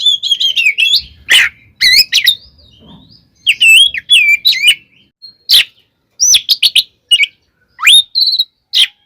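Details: Oriental magpie-robin, kept bird, singing an aggressive fighting song meant to provoke rival magpie-robins: rapid mix of high whistles, sharp harsh bursts and twisting notes around mid-high pitch, delivered in quick phrases with short gaps.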